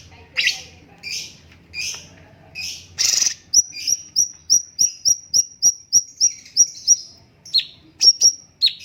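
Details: Cucak cungkok bulbul used as a training master song, first giving rounded chirps, then a brief rattle, then a steady run of about a dozen thin high whistles at even spacing, ending in sharp slurred notes.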